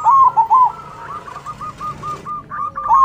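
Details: A zebra dove with a big voice sings in exchange with local doves, opening with slurred, wavering coos and then giving an even string of short, clipped notes before a final rolling coo.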